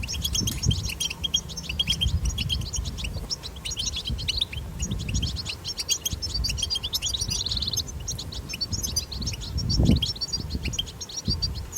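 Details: A European goldfinch batbata, recorded in the wild for stimulating goldfinches to sing, with continuous high tinkling twitter, a short buzzy trill near the middle, and low rumbling background with occasional thumps.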